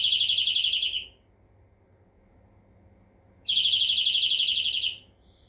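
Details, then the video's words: Two rapid trills from a European greenfinch, each a fast rattle of identical bright notes about a second and a half long, separated by a quiet gap of over two seconds. "Flurya Kuşu ötümü"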